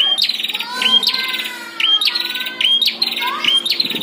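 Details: Caged and wild prinias in a heated fight, used as training audio: sharp high notes, each tailed by a buzzy metallic trill, repeat roughly every second. Lower whistled slurs sound between them.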